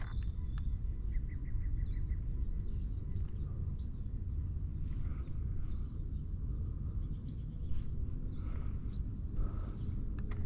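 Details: Pacific-slope Flycatcher in the Tijuana River Valley, California, 2023, morning: two thin, sharply rising whistled 'suweet' notes several seconds apart, over heavy wind rumble, with lower chips and faint high notes from other birds.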